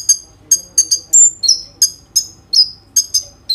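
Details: Kolibri ninja, a sunbird, sings energetically in a phone recording meant to prompt other sunbirds to sing: a string of separate high chirps and short downslurred whistles spaced about every half second, with a faint low hum behind.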